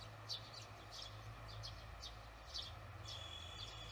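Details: Evening barn swallows, June 18, 2020, watched after work; clear short chirps in small groups, two louder ones standing out, over a steady hum.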